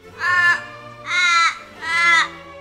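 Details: An Australian raven or crow, glossy black with white eyes, gives its iconic call: three harsh, drawn-out caws about one per second, each wailing and sagging at the end, over a faint low hum.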